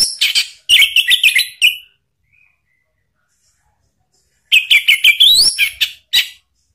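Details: Orange-headed thrush song used as a lure to make a kept bird answer: two bursts of rich, varied phrases with sharp clicks and rising whistled notes, separated by about three seconds of silence.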